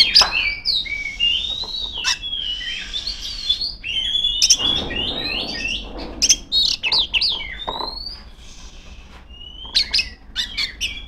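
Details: Female Oriental magpie-robin in full song directed at rivals: varied whistled phrases and trills at first, then scattered sharp clicks and chips toward the end.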